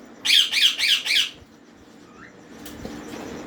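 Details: Young green ringneck parrots at feed time giving four grating, raspy squawks in quick sequence, then a soft thin chirp and a sharp tap against quiet background.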